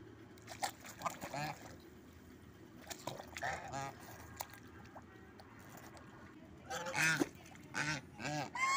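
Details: Angry geese give harsh, nasal honks in short irregular bursts, louder near the end, over a low steady background rumble.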